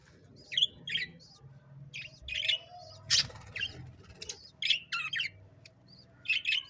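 Sparrows chirp in short, bright bursts of two or three notes, several birds calling at an uneven pace with faint background hum.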